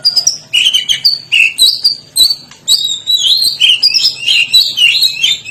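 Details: Medan white-rumped shama in full, lively song with strange notes: rapid varied bursts of high whistles and chirps in short phrases about half a second apart, sliding up and down, continuing without pause.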